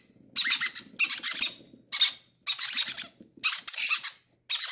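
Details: Greedy parrot chicks begging for feeding; scratchy, broadband squawk bursts repeated about every second, with faint low murmuring in the background.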